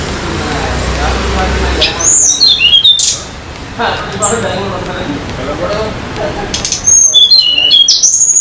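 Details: Sunda laughingthrush in the wild on a Banyuwangi mountain, Indonesia, giving two bursts of high, thin whistles that slide and step downward, separated by a quieter gap with low rustling noise.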